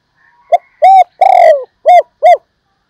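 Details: Spotted dove kept as a decoy bird and described as an exceptional singer, delivering one full cooing phrase: a brief lead note, a rounded coo, a long raspy middle note, and two clear closing coos.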